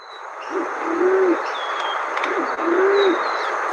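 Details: Band-tailed Pigeon, the native pigeon of Bay Area redwood and oak forests, giving two rough, low, hollow coos about a second and a half apart, over a steady hiss with faint high whistles of other birds.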